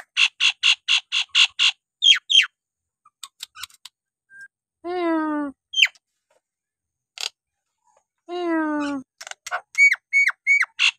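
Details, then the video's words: Energetic Nias hill myna song opening with a fast train of bright ringing notes. Two long nasal croaks follow, separated by scattered clicks, before a closing burst of quick rising whistles. "jalak nias gacor!! buat terapi jalak nias bahan atau yg malas bunyi agar gacor kembali"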